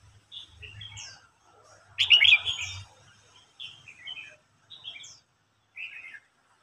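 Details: Red-whiskered bulbul in a song contest, an old bird challenging a young bird: short warbled whistled phrases broken by pauses, with one louder burst near the middle and faint low hum beneath.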